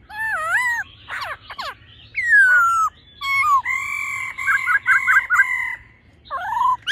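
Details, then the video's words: Male laughingthrush singing in a mature wild voice with a churring female, meant to excite males: looping whistles and harsh bursts, a falling slur, then held whistles broken by quick wavering flourishes and a final rising note. "khướu mái ro +trống hót giọng già rừng.kích trống nhanh căng lửa"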